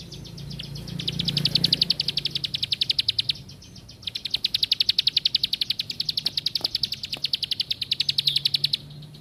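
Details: Two bursts of a plain prinia's insect-like trill, each a quick train of high clicking notes, separated by a pause of under a second, with a soft low hum in the background.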